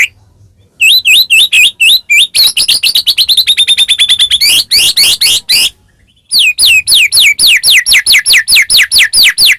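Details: White-rumped shama song meant to trigger a caged bird to sing: long runs of fast repeated upswept whistles and buzzy rattling notes, pausing once before another rhythmic series of sharp sweeps.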